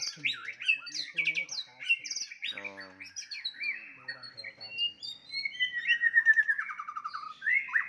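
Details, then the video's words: White-rumped shama fighting song meant to stir up rivals: a fast medley of varied whistles, sharp chips and rising and falling notes, with a brief buzzy rattle in the middle and a dense run of clear notes toward the end. "murai batu tarung ampuh untuk menaikan emosi"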